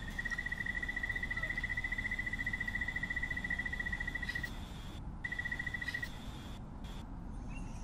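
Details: White-necked puffbird song: a fast, even trill of many short, identical notes held at one steady pitch for about four seconds, then a shorter second burst after a brief pause, over a constant low rumble.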